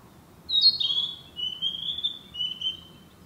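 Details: Narcissus flycatcher in the woods sings a longer phrase: high warbled start, then a string of three lower whistled notes that step gently downward, each clear and sweet.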